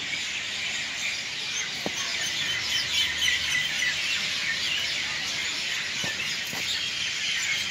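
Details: Evening chorus of many birds at Madhugiri: dense high twittering and chirping, with a few clearer whistled notes, forming a continuous bright wash, plus occasional faint clicks.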